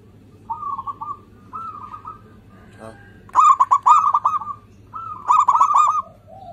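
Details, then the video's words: Local zebra dove in full song, played to coax doves that rarely sing; soft trilled coos build into loud, stuttering bursts of bubbling notes, with short pauses between phrases. "PERKUTUT LOKAL GACOR, pancingan kutut susah bunyi"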